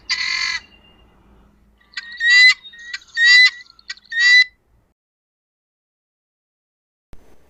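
Helmeted Guineafowl giving four harsh, grating, rattled squawks, each about half a second long, with brief pauses between the last three; otherwise quiet.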